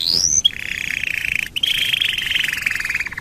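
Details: Domestic canary song used to coax other canaries into singing: a rising whistle opening into a long, even buzzy trill that continues with a rapid pulsing rhythm.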